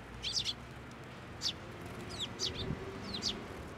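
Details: Sparrows coming to a hand for food at a Tenmangu shrine, June 2024; soft, high, slurred chirps at intervals of about a second, over a low background hum.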